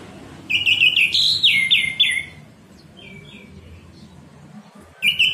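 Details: Morning 'ngeplong' singing by an orange-headed thrush, played as a lure for caged birds that have gone quiet: a rich run of descending whistled phrases, a softer quieter phrase mid-clip, then the loud song resumes at the end.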